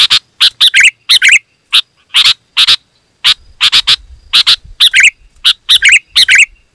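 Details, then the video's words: Sooty-headed bulbul singing loud and dense to entice wild birds nearby: rapid series of sharp chirps and rolling warbled phrases in quick succession, with faint low background rumble. "Suara Burung KUTILANG GACOR, Rapat dan Lantang Burung Kutilang Liar Auto Emosi dan Mendekat"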